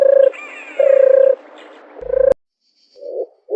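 A dove gives low, steady hoo notes, each about half a second long, three in quick succession, followed by a softer, muffled coo.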